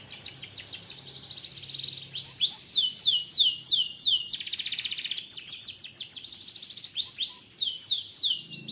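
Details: A canary sings vigorously. Long chains of fast, high, downward-curving whistles alternate with buzzy rolling trills, and the phrases repeat and change throughout.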